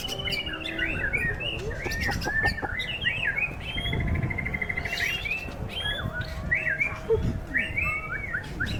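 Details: White-rumped shama singing in a contest in strong wind, holding steady: a rich run of varied whistled phrases, slurred and trilled notes with a buzzy rattling stretch in the middle, over a low rumble of wind.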